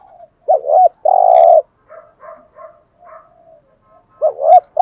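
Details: Spotted dove cooing in the 'gù thúc' style, a fine-voiced bird played to get decoy doves cooing: a warbling bent note, a long loud low coo, then soft quiet coos before another bent, rising-falling note.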